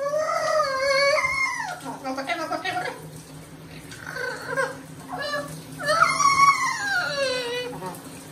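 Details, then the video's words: Indoor Amazon parrot crying because it does not want to be bathed: long drawn, harmonic wails that sag in pitch, with choppy calls between, room hum and faint water. "Loro llorando porque no quiere bañarse"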